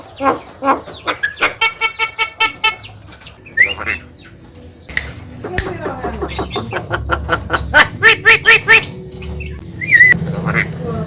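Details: Javan myna song used as a master recording for training other birds: a varied, chattering run of harsh notes, rapid clicking bursts and stacked buzzy calls, with short whistled slides near the end.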